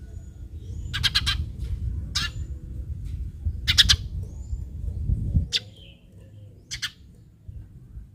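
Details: Eurasian tree sparrow calls meant to prompt other sparrows to answer: a few harsh chirp bursts, some doubled, over a loud low rumble that drops away midway.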